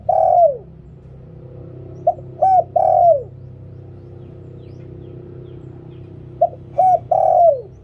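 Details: Spotted dove repeating its liu tan decoy song. The tail of one phrase slides downward, then two complete phrases of short coo, arched coo and long falling coo follow about four seconds apart over a steady low hum.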